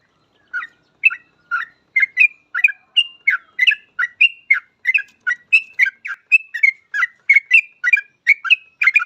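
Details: Persistent Yellow-vented bulbul song, meant as a lure so other bulbuls begin singing fast; after a brief pause, a long, unbroken run of quick, bubbly chirps and doubled notes, two to three a second, with nothing else audible.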